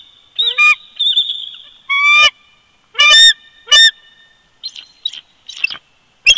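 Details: Bald eagle pair at their nest in winter, Big Bear Lake, California, February 2020, nest camera: loud, abrupt harmonic yelps and short squeals in quick succession, with softer scattered chips toward the end.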